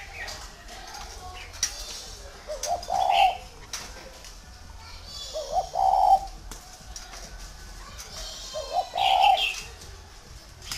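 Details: Repeated soft cooing of a spotted dove from a bird garden in Ba Vì, northern Vietnam, three phrases about three seconds apart, each rising into a brief rounded coo, with higher twittering birds and faint hiss behind.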